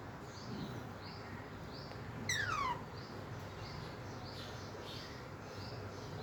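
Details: Alexandrine parakeet, a tame talking parrot, calling while playing with toys: one loud, harsh note of about half a second, sliding steeply downward with rich harmonics. Faint, softer chirps repeat steadily in the background over low noise.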